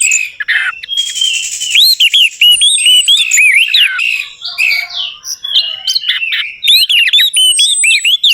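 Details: Orange-headed thrush song used as a lure for a bird that has stopped singing: continuous varied high warbling with rising and falling whistles, buzzy bursts and sharp chirps, delivered rapidly with hardly any break.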